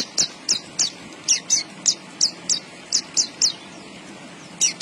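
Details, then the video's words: Energetic song of a Javan bush lark (branjangan): a string of sharp, very high ticking notes repeated roughly every third of a second, evenly paced, over a quiet hum. "BURUNG BRANJANGAN GACOR"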